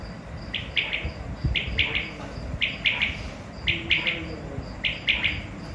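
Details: Jungle quail, known locally as batair, giving a sharp three-note call repeated roughly once a second in steady groups, with a faint high thin tone between phrases and low rumbling background noise.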